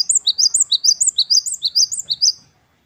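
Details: Gelatik batu wingko (Great tit) in full wucit-wucit kristal song: a rapid, unbroken run of about fifteen high, ringing two-part notes, each swooping up then down, delivered almost without gaps before stopping abruptly.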